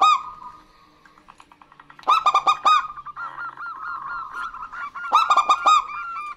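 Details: Female and male local zebra doves answering each other in active song; a faint low hum at first, then two loud bursts of quick cooing notes, with soft arched notes between them.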